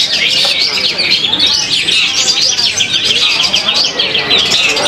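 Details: Long-tailed shrike from Indonesia singing a dense, rapid run of high chirps and twittering notes, closely packed and nearly continuous, with people's voices murmuring in the background.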